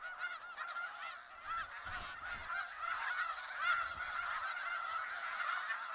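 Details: Snow geese in a large flock in Skagit Valley, a dense chorus of overlapping nasal honks and yelps, high and slightly rising, calling continuously with soft low rumbles beneath.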